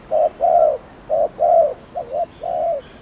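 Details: Spotted dove (cu đất) giving cooing to stimulate other doves: paired mellow hoots, a short one then a longer one, the fifth note dipping in the middle, ending in a drawn-out falling coo.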